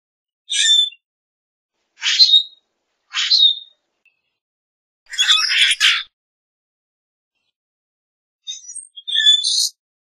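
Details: Common grackle singing: harsh, squeaky bursts between about 2 and 8k, several short grating notes spaced a second or two apart, ending in a rising creaky squeak; no other sounds.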